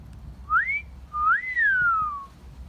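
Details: Parrot wolf whistling: a brief rising whistle followed, after a short pause, by a drawn-out whistle climbing then sliding slowly down. The background is quiet apart from faint low hum.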